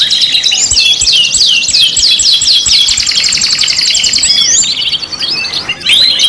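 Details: Canary singing for a training lure recording: long run of rapid repeated swept notes forming a high rolling trill, then a brief pause and a fresh burst of warbled phrases at the end.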